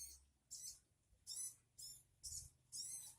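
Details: Sogon bird calling: six hissy, raspy high bursts, each about a quarter second long, repeated roughly every half second, with quiet gaps between.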